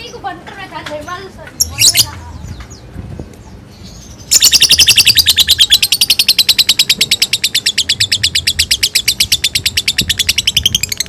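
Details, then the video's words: Kept bird being bathed, bursting into fast chattering song: after a few soft chirps and voices, a loud run of sharp high notes repeats very rapidly and evenly for about seven seconds, fading slightly toward the end. "di mandiin malah ngekek"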